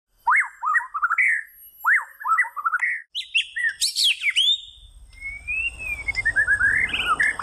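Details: White-rumped shama singing: loud rich phrases of clear whistled notes that swoop up and down, repeated in short bursts, then a long slurred whistle sliding into rapid descending notes, with a soft low rumble late on.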